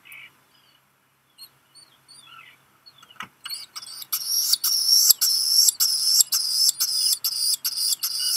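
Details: Black guillemot chick hearing a parent arrive with rock gunnel, Seal Island National Wildlife Refuge, Maine, 13 July 2021; near silence with a few soft notes and knocks, then sudden loud rapid shrill peeping, almost two per second.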